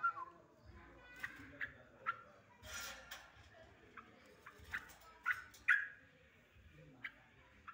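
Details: Agitated yellow-vented bulbul gives short, bright chirps and excited chatter at irregular intervals, with sharp clicks and faint background noise, used to provoke other bulbuls into calling.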